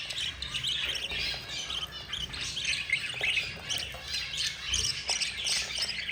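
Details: A yellow budgerigar mother feeds her four babies, which give a dense mix of wheezy squeaks and rasping chatter, somewhat softer, with a low knock near the end.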